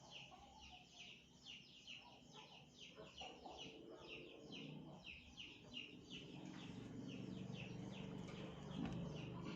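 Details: African grey parrot starting to chirp in a long, fairly steady run of short descending peeps, several each second, while a rumbling low hum and some muffled background noise swell toward the end.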